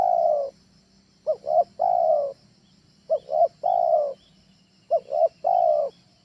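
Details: Spotted dove trained call, tekukur ajaran, for luring at home: a long coo followed by three phrases, each two short quick coos and one extended mellow coo, repeating about every 1.8 seconds. Quiet hiss only.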